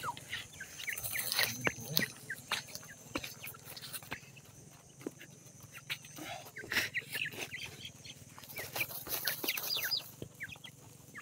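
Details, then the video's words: Francolin (dakhni teetar) chicks in the morning give a busy scatter of short, high peeps and chips, overlapping at an irregular pace, with soft clucking and a faint steady background hiss. "dakhni teetar chicks voice"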